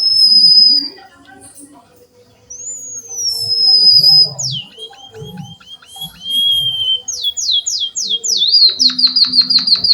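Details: Java sparrow singing in lively gacor style with canary-imitating isian kenari phrases: a high whistle, a gliding whistled note, then rapid series of downslurred trilled notes repeated about three per second, with faint low background murmur.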